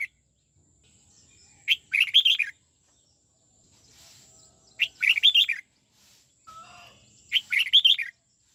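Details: Red-whiskered bulbul, a caged bird in training, delivering the '89 xoắn tít' twisting song style: three short, bright, rolling warbled phrases, each about a second long, repeated roughly every three seconds, with quiet gaps between.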